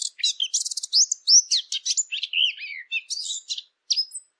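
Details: Eurasian blackcap singing, recorded for hunting callers: a dense, continuous warble of rapid trills, rising and falling whistles and scratchy notes over about four seconds, with nothing else audible.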